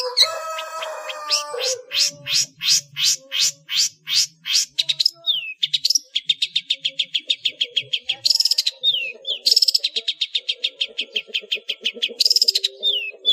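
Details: Long-tailed shrike, ngeplong full isian song used to train cage birds: an opening mix of tones, then a long rhythmic series of loud sweeping notes about twice a second, shifting into faster rattling pulses broken by downward-slurred whistles.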